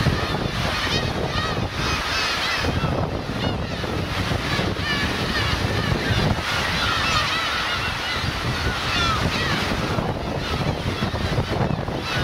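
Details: Parent and chick black-tailed gulls at Kurosaki coast, Teuri Island, Hokkaido, Japan, June 2021: a dense chorus of overlapping, quavering mews swells and ebbs over roaring surf and gusting wind.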